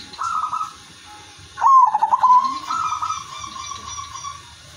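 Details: Silver-line Zebra dove in a cage, its melodious song used to start other doves singing; a soft coo, then one loud stuttering burst sliding into a long steady fading tone.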